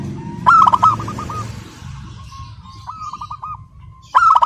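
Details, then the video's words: Local zebra dove singing tirelessly in a crystal-clear voice: a loud burst of bright notes runs into a pulsed cooing trill, with a quieter trill between and a fresh loud burst at the end, over a low hum. "Perkutut Lokal GACOR SUARA KRISTAL MANGGUNG TANPA JEDA"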